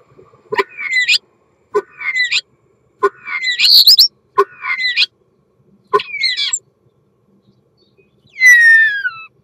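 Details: Common starling's mating song: a short phrase of a click and a rising, twisting whistle repeated five times about every 1.3 seconds, ending with a long falling whistle.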